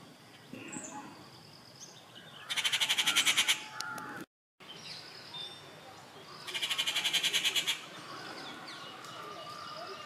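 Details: Rufous treepie at Kattupadi on 19 June 2021 repeats a loud, harsh, buzzy rattle twice, each a rapid series of grating pulses over about a second, amid faint calls of other birds.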